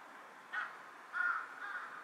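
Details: Carrion crow on a power line, bowing while calling, 18 July 2023: a short caw followed by a longer, drawn-out hoarse caw and a softer trailing note.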